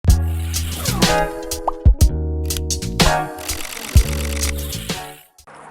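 Beat-driven music with deep bass and sharp percussive hits, no animal voices.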